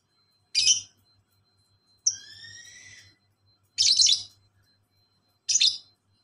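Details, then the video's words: Lovebird master recording in the ngekek style, meant to prompt silent birds to reply: harsh, buzzy chirps spaced over a second apart, plus one falling, whistled call, all high-pitched, with a faint low background hum. "Masteran Lovebird Ngekek santai dilanjut speed rapat burung diam pasti nyaut"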